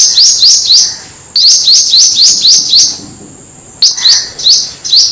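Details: Black-throated Sunbird song used as a lure for birds: high, sharp rising chirps repeated rapidly in bursts of three to six, separated by brief pauses, over a clean quiet background.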